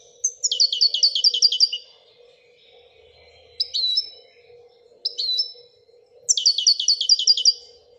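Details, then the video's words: Wedania song of a Moroccan European goldfinch: two quick rattling trills of sharp repeated notes framing short twittering calls, with a quiet constant hum in the background. "الحسون المراكشي لغة الويدانية"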